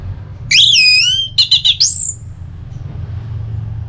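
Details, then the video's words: Ngeplong-style orange-headed thrush song for stimulating another bird to sing: a loud wavering whistled phrase, four quick pulsed notes, then a rising whistle that trails off into quiet low hum. "ANIS MERAH LOYO Bakal SONTAK NYAUT GACOR dan EMOSI dengar Kicauan Ngeplong ini"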